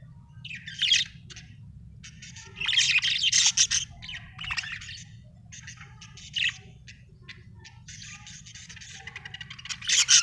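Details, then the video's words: Happy budgie warbling and chirping: scratchy, buzzy chatter in irregular bursts, louder clusters near the start and end, quieter clicking twitter between them, a soft low hum constant throughout. "Happy budgie chirping sound"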